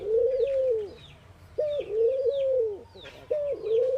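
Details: ['Ring-necked doves cooing in the morning in India: low, hollow coos, each a brief higher note followed by a long, slightly wavering hum, repeating about every 1.7 seconds. Thin, high chirps from other birds sound in the background.']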